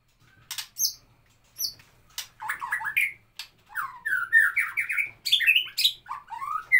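A White-rumped shama sings loud, varied phrases of rich slurred whistles and harsh chattering notes, delivered in quick bursts with short pauses between.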